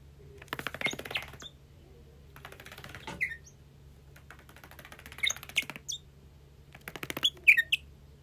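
A Bourke's parrot gives short, high chirps mixed into rapid clicking rattles, in four bursts spaced roughly two seconds apart, with a faint low hum beneath.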